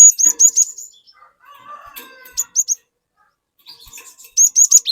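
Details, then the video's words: Cinereous tit singing persistently, used as a lure to get an untrained tit to sing along: bursts of sharp, high whistled notes at the start, middle and end, with faint lower chatter in the pauses. "Burung Glatik Gacor Memancing Glatik Bahan Agar Ikutan Gacor Ngeplong"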